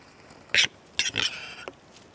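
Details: A male western capercaillie displaying gives a few short, harsh, hissing scrapes, four rasping bursts in under two seconds, over a quiet background.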